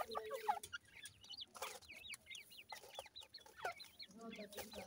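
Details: Francolin (teetar) chicks: a busy chorus of thin, high peeping chirps, many sliding downward and repeated rapidly by several chicks at once, over sharp knocks and clatter and a low hum.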